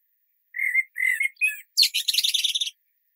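A robin sings three short, clear whistled phrases, then a rapid, high, jumbled twittering flourish; no other sounds.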